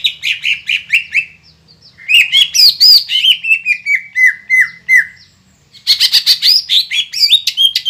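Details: Green leafbird in vigorous song, played to make rival birds react: rapid high chirps, a lull, then looping squealing phrases falling into regular whistled notes, and after a silence another loud, high, tumbling burst.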